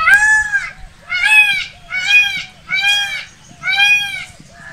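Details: Peacock calling around its dance: five loud, nasal, harmonic-rich honks about one per second, each ending in a short upturned tail note, with a faint low rumble underneath.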